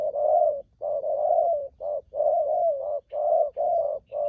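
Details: Wild-caught spotted dove kept as a trapping decoy, giving loud 'thúc gù' cooing: mellow low coos run close together in short-long pairs, nearly continuous, with a faint high chirp near the end.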